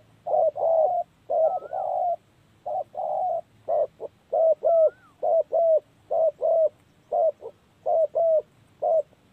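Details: Spotted dove call used as a lure for trapping; short, low, hollow coos grouped in pairs and triplets, repeated steadily with brief gaps, plus a couple of faint higher whistled notes.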